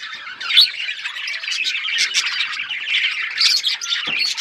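Budgerigars chatter continuously in a dense, scratchy warble of high chirps and squawks, several birds overlapping with no pauses.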